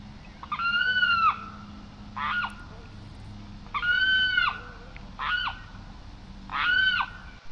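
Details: Limpkin (carrao) giving loud ringing wails of uneven length, some long and held, others short and clipped, with pauses of a second or more between them.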